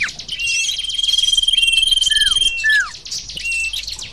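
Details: Sirtu bird lure audio: a quick rattling trill beneath a thin steady whistle, followed by two loud down-slurred whistles and scattered short chirps.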